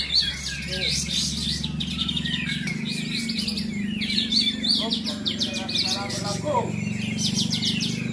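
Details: Caged kapas tembak bulbuls at a Bonjol songbird league event keep up busy, overlapping chirping phrases over a noisy backdrop of crowd voices and low hum.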